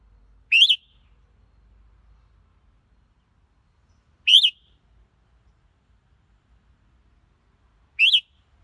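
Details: Three brief, sharp whistled notes from a red-whiskered bulbul, spaced about every three and a half seconds, each quickly rising and falling, against a quiet backdrop.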